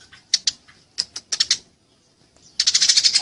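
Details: Fighting Eurasian tree sparrows give scattered single high chips, then break into a dense, fast chattering burst near the end.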